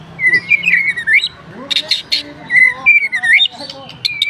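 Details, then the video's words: F4 white-rumped shama, kept captive, delivering long wavering whistled phrases that climb and dip, interleaved with short bright rasping bursts and a few soft lower notes. "KICAUAN BURUNG MURAI BATU F4 GACOR"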